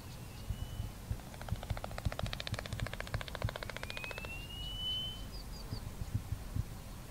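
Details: Male eastern clapper lark in flight display: a fast three-second rattle of hard wing claps while rising into the air, then a long, thin rising whistle on the way down before landing on the same bush, over low wind rumble.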